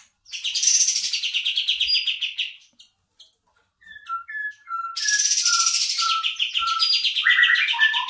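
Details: Bulbul song played as a lure for catching birds: a long, bright, rapidly repeated trill, a pause, then a series of short clear whistled notes before another sustained fast trill.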